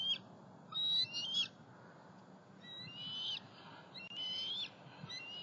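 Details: Juvenile bald eagles, a pair of fledglings, in Southwest Florida on 5 July 2020, moving between their nest, a pond and a snag tree; thin, high whistled notes with slight upward inflections, four drawn-out calls against quiet background hiss.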